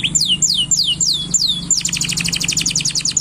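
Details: Male canary in an excited state, singing to ready the female for mating: a series of sweeping downward whistles, then a very rapid high rattling trill, with a constant low hum behind.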